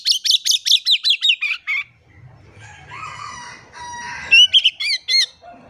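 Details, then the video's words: Oriental magpie-robin song meant as a lure to set silent birds singing: rapid repeated falling notes, then a pause filled by a lower, drawn-out harmonic sound, before bright whistled notes return. "PANCINGAN KACER GACOR. KACER DIAM MALAS BUNYI COBA PANCNG DENGAN KACER INI"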